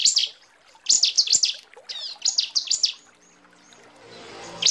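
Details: Female bar-winged prinia calling the male, used as a lure call: bursts of sharp high chirps that sweep down, in quick runs of three to four, with short pauses and a soft hiss near the end.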